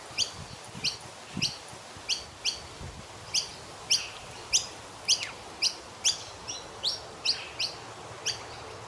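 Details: A noisy miner chirping in a tree in the morning in Australia gives sharp, high chirps about every half second to second, steady and repeated, over faint background noise.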